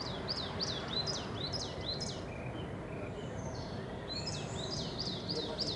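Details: Coal tit singing in spring: quick, high two-note phrases, a sharp downstroke then an upslur, repeated rapidly for about two seconds, then another high chirping phrase. Great tits and chaffinches sing in the background over a steady outdoor noise bed.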